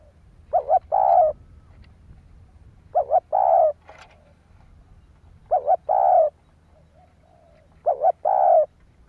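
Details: Spotted dove cooing to rouse other doves: four phrases every two to three seconds, each a quick wavering double note then a drawn-out throaty coo, with a faint click between.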